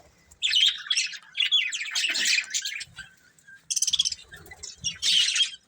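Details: Budgies from a family flock warble and chirp in scratchy rising-and-falling phrases, with a quieter pause midway before clipped, buzzy bursts resume.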